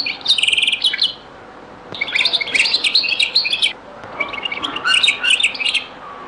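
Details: European goldfinch in the zaboka song style of Beni Messous 'les avocats', very old recording: a buzzy trilled phrase, a pause, then busy twittering, another pause, and a final run of mixed chirps.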